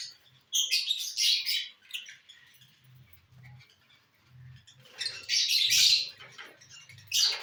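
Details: Lovebirds feeding on bhutta, or corn, on 18 December 2022; shrill, harsh chirping bursts early on, then a quieter gap with faint low rumbles, followed by a long loud squealing outburst and a final sharp chirp.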